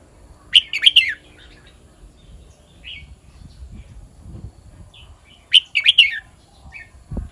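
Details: Red-whiskered bulbul song in the 'kwik-jok-khwai-liang' style, two loud warbled phrases of tightly grouped whistled notes roughly five seconds apart, with a few soft chirps and low background rumble.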